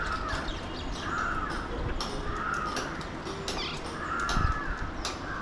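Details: Alexandrine parakeets (mountain parrots) in Mumbai, India, recorded from a window: muffled, grating calls repeated roughly every second and a half, four in all, under a continuous low drone of city background.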